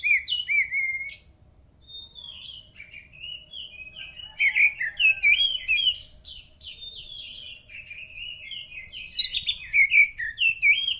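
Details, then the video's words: Oriental magpie-robin song, played to get other birds answering: clear whistled notes lead into a long, varied stream of chirps and slurred phrases, closing with loud, sharp high whistles. "burung kacer cocok buat sautan burung anda"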